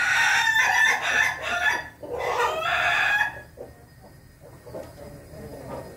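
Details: Red-combed Ayam Ketawa rooster crowing on 20 May 2024: loud, rough, stuttering bursts of rapid pulsed notes over about three seconds, followed by quieter clucking and background noise.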